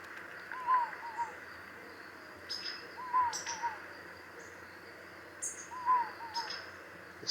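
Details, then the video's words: An Inca Dove repeats its soft, two-noted 'no hope' coo, the mnemonic for its song, about every two and a half seconds, with faint rustling clicks in the background. "The Inca dove, the mnemonic for their song is no hope, no hope."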